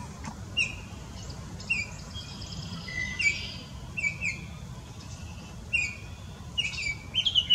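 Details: A Baltimore oriole in Southeast Wisconsin sings short, clear whistled notes roughly once a second, with a few higher chattery fragments, over a low steady rumble.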